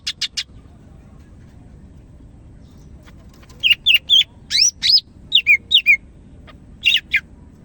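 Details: Greater green leafbird of Medan type singing energetically, a quick series of arched and falling whistles and sharp chips after a quiet stretch, delivered about two or three notes per second.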